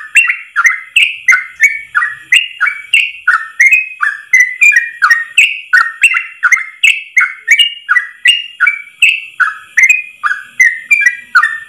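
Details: A nearly twelve-second run of Yellow-vented bulbul 'ropel' song, one long breath. Dense chattering whistles tumble down and up nearly three times each second, steady and unbroken, with no other sounds.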